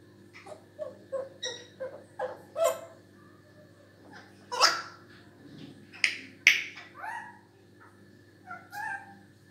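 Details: African grey parrot calling indoors: a run of short squawks and whistled notes at varied pitches, some rising and some falling, irregularly spaced with louder harsh bursts in the middle, over a steady low room hum.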